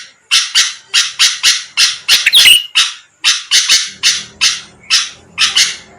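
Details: Sooty-headed bulbul used as a lure to draw rival birds into answering; paired harsh, buzzy bursts come every half second or so, with a squeaky rising note in the middle and a faint low hum toward the close.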